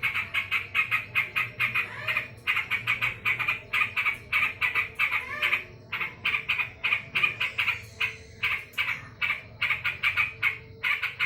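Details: An angry yellow-vented bulbul chatters nonstop, giving rapid, rasping, clipped notes in quick irregular volleys, each burst sharp and squawky, with a faint low hum underneath.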